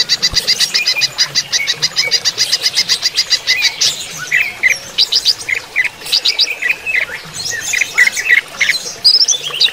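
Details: Greater green leafbird during running-water therapy: a long rapid rattle of high notes, then a medley of varied squawky chirps and rising slurs.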